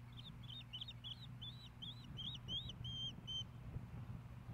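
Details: At a Hellgate Canyon osprey nest in Missoula, Montana, 15 May 2016, during a fish delivery: a run of slurred, rising-falling whistled chirps that grow cleaner and more drawn out toward the end, over low hum.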